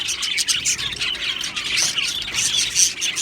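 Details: Flock of happy Australian budgies in an aviary colony, a bright, busy wall of high twittering, rapid squeaks and short warbled notes overlapping without pause.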